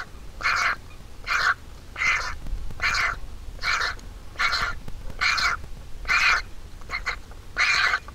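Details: Nestling vulture at the nest during feeding by its mother: short, hoarse, rasping calls at irregular spacing, about ten in eight seconds, with a quiet low hum behind.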